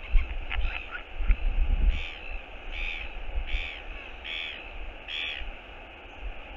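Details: Northern royal albatross at a nest cam on 22.02.11, a skycall of courtship as the partner returns. Drawn-out braying notes repeat about every 0.7 seconds against a constant low wind roar.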